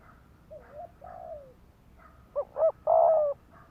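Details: Decoy spotted dove kept on the ground, giving fast urging coos to provoke wild males into fighting. After faint low hoots, one loud phrase: two short hollow notes and then a longer, slightly falling coo, over quiet background.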